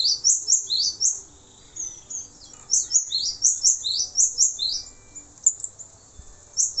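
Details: Male cinereous tit tutor recording: thin, piercing notes paired into fast repeated phrases, one long string, a pause, then another string of the same doublets.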